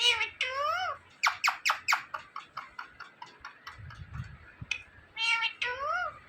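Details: Indoor Indian ringneck parakeet mimicking words: wavering harmonic phrases, then a quick series of about a dozen sharp clipped syllables, ending with two more wavering word-like phrases.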